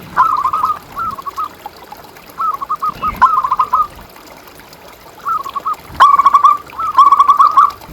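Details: Local zebra dove singing vigorously, recorded as a master track to train quiet caged doves and lure others: short bursts of rapid, rolling cooing notes, each phrase under a second, separated by pauses, with faint background noise.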